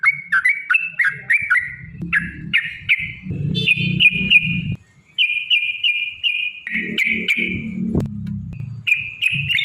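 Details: Sooty-headed bulbul in long 'ropel' singing meant to provoke other bulbuls into answering; bubbly whistled notes give way to longer sustained whistles, with a short silent gap and low thumping background noise.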